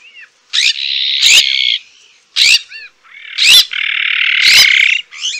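Azure-winged magpie giving harsh, rasping drawn-out calls, each about a second long, mixed with short clipped notes and brief rising whistles.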